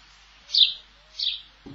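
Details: House sparrow in the countryside at the end of spring, giving two short, bright "chip" chirps about three-quarters of a second apart, followed by a brief low thump.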